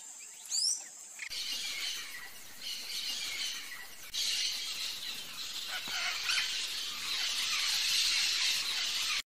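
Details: Yellow-faced parrot (Alipiopsitta xanthops), an endangered species of Brazil's Cerrado and adjacent Bolivia: a sharp, high, looping squeal, then a steady wash of shrill chattering and screeches from several birds, with rustling in the background.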